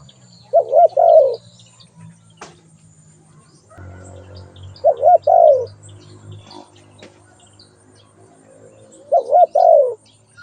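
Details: Spotted dove cooing three times, roughly four seconds apart, each phrase a quick bent note and a longer quavering coo, over a low rumbling background hum and a few faint clicks.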